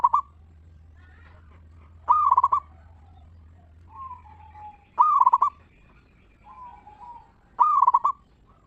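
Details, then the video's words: Local zebra dove's ngeristal lure song for drawing replies from other zebra doves. Four loud pulsed coo bursts arrive roughly every three seconds, with quieter wavering coos between them and a low hum early on. "Perkutut Lokal Gacor RAJA PIKAT Suara Ngeristal Paling Ampuh Bikin Semua Perkutut Nyaut Gacor"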